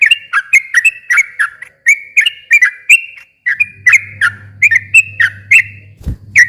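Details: Continuous rapid song of a sooty-headed bulbul, used to goad a quiet bird into singing back: quick strings of bright, bubbly whistled notes with brief pauses, a low hum entering midway, and a single dull thump near the end.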